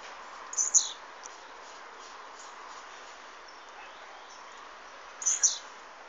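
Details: Blue-black grassquit delivering two short, shrill buzzy bursts about four and a half seconds apart, each flicking up high then sliding down, with faint hiss between.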